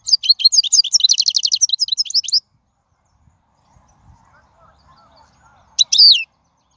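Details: European goldfinch, wild-caught song for teaching young birds: an energetic stream of tinkling notes running into a rapid trill for over two seconds, a quiet gap, then a short sharp twittering phrase.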